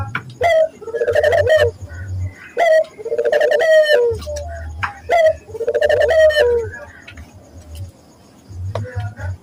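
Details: Barbary dove lure for training local doves: three long rolling coos, each warbling then falling, spaced about two seconds apart, then a quieter pause, with a low humming drone beneath.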